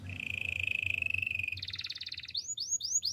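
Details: Spanish timbrado canary singing a training song: a long, steady, even trill held for about a second and a half, then a fast higher rattle, then a run of quick rising slurred whistles.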